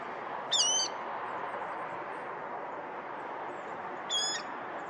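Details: Two short, harsh screeches from a water rail (Rallus aquaticus) in the Binnenveld, Netherlands, about three and a half seconds apart, over a steady background hiss.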